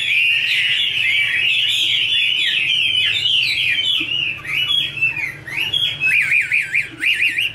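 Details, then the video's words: Female Chinese hwamei singing over a background male: a long continuous tumbling warble, then fast wavering trilled whistles that loop up and down repeatedly near the end. "Chim hoạ mi: Mái te đỉnh cao của năm _ có chim trống làm nền"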